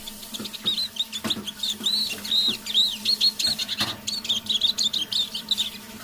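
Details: Evening half-voice song of a decoy Eurasian siskin, warming up: a continuous run of high, thin twittering and wheezy warbled notes, steadily repeated, with occasional clicks and a low background hum.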